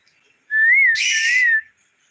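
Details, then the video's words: Pet talking parrot, being offered something by its owner, gives a single wavering whistle that breaks into a rasping, broadband squawk lasting about a second. "কথা বলা টিয়া পাখি"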